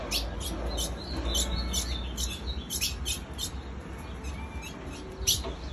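A female ultramarine grosbeak gives sharp, high chip notes without pause, several each second at an uneven pace, over a low steady hum.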